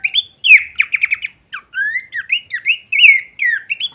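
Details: Horsfield's babbler with a full-variation song for songbird training: quick rattled notes, a short pause, then clear whistled phrases that rise and fall in steady succession.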